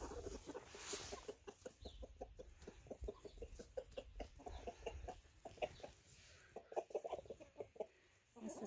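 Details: A blue laced red Wyandotte rooster gives a rapid run of low, soft clucks, several per second, rising and falling in quick bursts, calling hens over to share food he has found.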